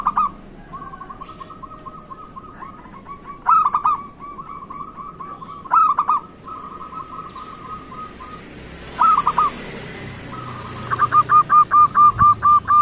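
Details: A zebra dove, a local bird, sings soft, rapid cooing trills in phrases, ending in a series of clear rhythmic coos.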